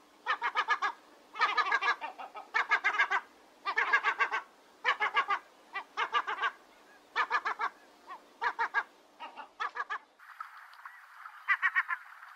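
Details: Gull cackling in quick bursts of four to six clipped, nasal notes, repeated about every second. A softer, smeared calling follows at the end.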